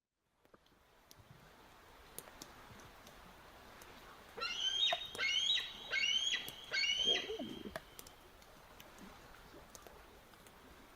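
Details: A bald eagle gives high, shrill, chittering notes in four quick bursts over about three seconds, a squealing, yelling sound likened to a screaming toddler, against a faint background hiss.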